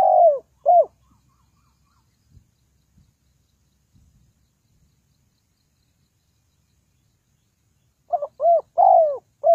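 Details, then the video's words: Spotted dove call played as a trapping lure. A pair of mellow downslurred coos opens, faint scattered ticks fill a long quiet gap, and a four-note cooing phrase with a longer middle note ends it. "The Sound Of Spotted Dove is very good"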